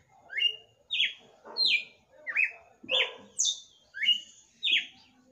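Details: At the close of night, a pet red-cowled cardinal sings a rhythmic series of eight bright, clear notes, each short and falling, with one higher note near the middle, spaced about two-thirds of a second apart.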